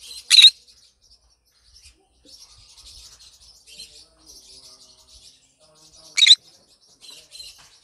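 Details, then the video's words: Happy green conure in the morning: a loud raspy screech, several seconds of quiet scratchy chattering with faint knocks, then a second harsh screech and more soft chatter. "Green conure sing a song in the morning happy bird"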